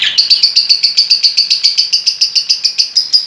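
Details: Lovebird of the fighter type singing: a long, steady series of rapid chirping notes, evenly pulsed about four to five per second, bright and high, with no other sounds.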